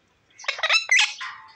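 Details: Talking pet ringneck parrot in India making a brief burst of harsh, raspy, speech-like syllables between a person's Hindi coaxing.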